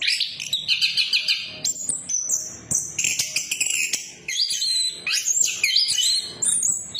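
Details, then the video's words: Energetic ngeplong-style orange-headed thrush song, played to coax quiet birds into singing: bright high whistled notes, trills and abrupt jumps in pitch, delivered in rapid overlapping phrases. "Pancingan Anis Kembang Macet, Anis kembang Macet Bunyi"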